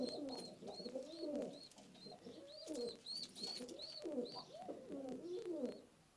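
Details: Istanbul pigeons with pearl or red eyes, low rolling, gurgling coos repeated in bursts of about a second with short pauses, accompanied by thin high chirping notes and occasional clicks.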